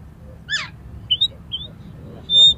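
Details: Fighting oriental magpie-robin in an aroused state, song meant to provoke rivals; one harsh scratchy burst, short rising whistles, then a long steady high whistle at the end, in a quiet setting.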